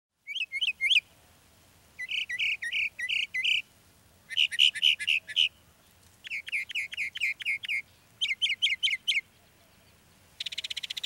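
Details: Northern mockingbird singing in Texas. Bright, sharp phrases come in bursts of four to six rapid repeated notes, with short pauses between them. Each burst changes to a new note type, and a fast buzzy trill ends the song.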